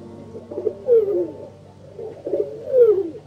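A pigeon gives two soft, low cooing phrases, each a throaty burble ending in a falling moan, about two seconds apart.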